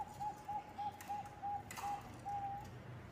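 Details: Bangkok-type zebra dove song meant to stimulate other birds to sing, heard faint and distant: a string of six short, soft cooing notes, then one longer level note, over a steady hiss of background noise.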